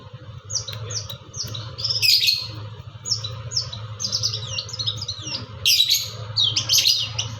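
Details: Long-tailed shrike in full song: rapid strings of high slurred chirps and mimicked notes in quick series, over a steady low hum.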